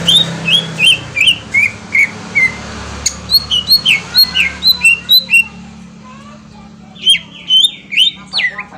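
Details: Green leafbird song played to draw a response: steady series of slurred whistled notes, quickening into sharp high phrases, a brief lull, then louder rising whistles.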